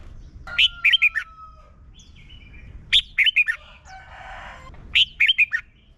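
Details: Song of a red-whiskered bulbul, played each morning to help young birds learn: three short phrases of four or five quick warbled whistles about two seconds apart, with a faint rooster-like rasp and a thin steady tone between.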